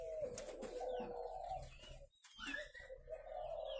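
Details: Low cooing from numerous captive spotted doves at a northern Vietnam breeding farm, broken by a brief pause, with thin rising chirps of small birds above.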